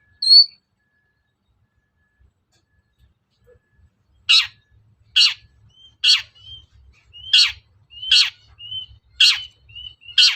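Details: Long-tailed shrike lure for stirring other shrikes to reply: one high note, a pause of about four seconds, then loud harsh rasping notes about once a second, with soft thin whistles between them.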